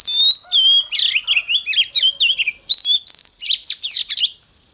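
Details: An Oriental magpie-robin's morning song: a rich, varied run of clear whistles, sweeping slurs and scratchy chatter in quick bursts, over a thin steady high tone.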